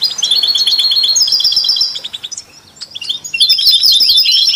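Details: Goldfinch singing among canaries and mules, a song said to stimulate other songbirds: rapid high twittering for two seconds, a brief lull of scattered soft notes, then a bright, tumbling burst of trills.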